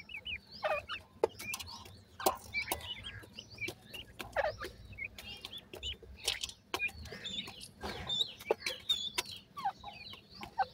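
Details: Several francolin chicks feeding: a busy stream of thin, high cheeps and twittering peeps mixed with constant clicking and pecking taps.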